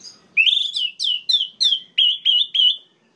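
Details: Orange-headed thrush, a song used to enrage other orange-headed thrushes: a series of eight loud whistled notes, each dropping then levelling, delivered at a steady pace about every third of a second.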